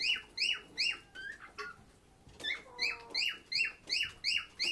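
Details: Lovebird from a shelter for sick birds, chirping: rhythmic piercing downslurred notes, a short pause with a few thin whistles, then the rapid series of harsh chirps returns.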